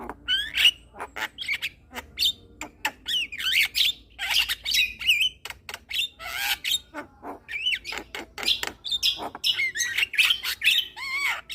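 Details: Javan myna chattering song used as therapy for stressed mynas that have stopped singing: dense bursts of harsh squawks, rasping notes and rising whistled phrases, continuous and busy throughout.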